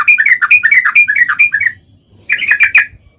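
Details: Lure recording of a sooty-headed bulbul in long rapid-trill song: a quick bubbling string of rolling, up-and-down notes for nearly two seconds, a short silence, then a brief chattering burst.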